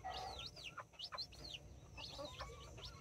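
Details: October 24, 2024: nine chicks, five Brahma and four mini, with two mother hens. A quick cluster of high, sliding peeps in two bursts, faint low clucking beneath and a steady background hum.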